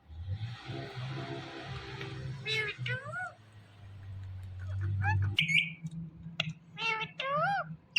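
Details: Pet Indian ringneck parakeet talking: low, steady hum and murmuring in the background, then clear parrot utterances with several rising and falling harmonic swoops and a sharp, bright squeak near the end.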